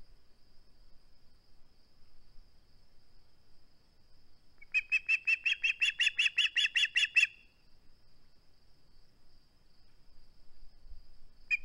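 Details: At a nest on 21 August 2020, an osprey refusing to give up its flounder utters a fast run of about fifteen piercing whistled chirps lasting some two and a half seconds, with quiet before and after.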